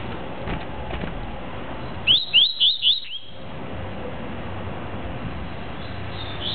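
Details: Caged double-collared seedeater giving a tuí-tuí song: a burst of four quick, upslurred whistles about a quarter second apart, then steady background hiss.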